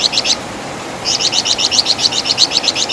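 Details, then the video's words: Flamboyan bird (Wergan Jawa) with its shrill, distinctive chatter: three quick high chirps, a pause of about two thirds of a second, then a long even run of rapid scratchy notes. "Masteran Suara Burung Flamboyan | Wergan Jawa"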